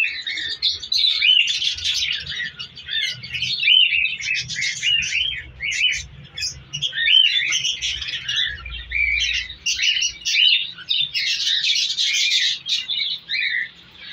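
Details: Budgerigars in a breeding colony chatter in a busy flock, a steady stream of high, scratchy chirps and warbles.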